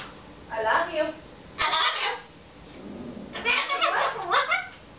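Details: Pet male red-fronted macaw chattering to its owners at home; short gravelly phrases, then a longer run of quick, rising and falling speech-like syllables, with a low human murmur between.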